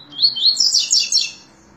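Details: Double-collared seedeater in song, giving high whistled notes that slur into a rapid, jumbled twittering phrase about a second long.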